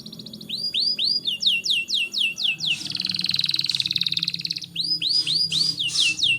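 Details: Canary singing, used to spur young canaries: looping arched whistles, then a dense buzzy trill, then more arched notes, over a steady low background hum.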